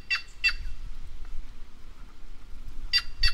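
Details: White-naped jay, known as the voice of the Brazilian caatinga, gives two pairs of harsh, broadband notes. One quick pair comes at the start and another after a quiet gap of over two seconds, over a low background rumble.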